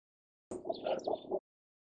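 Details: A male cinnamon bittern (Ixobrychus cinnamomeus) gives a brief run of about four low, hoarse clucking notes in under a second, against silence.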